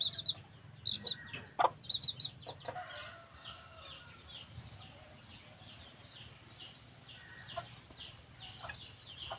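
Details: A black-coloured red junglefowl hen gives quick, soft, irregular clucks mixed with small chirps, over a steady low hum and faint chirping from other birds.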